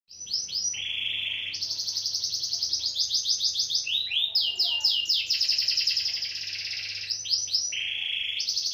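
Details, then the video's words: Canary song in a fast rhythmic style: rapid repeated rolling trills of high notes, shifting between phrases of quick downslurred notes and a lower steady buzzy roll, at roughly three or four notes per second; faint low hum beneath. "Canary style"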